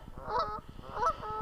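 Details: Canada geese on Blue Marsh Lake, lowered for winter, on 13 March 2021, after recent snowstorms, making their presence known: two loud, nasal honks about half a second apart, a third starting at the end, over soft rhythmic low thumping.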